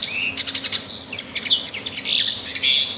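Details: Sparrows singing in nature: a busy run of high twittering chirps and brief whistled notes that overlap without a break, over a faint low hum.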